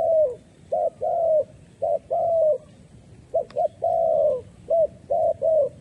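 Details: Spotted dove decoy calling to lure wild doves into a trap. A run of low cooing phrases alternates short clipped notes with longer, gently dropping coos, delivered rhythmically with brief gaps, recorded close with little other noise.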